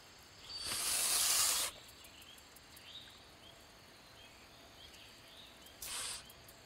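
A Canada goose gives a long, harsh, breathy hiss of about a second, then a shorter hiss a few seconds later; faint chirps in between.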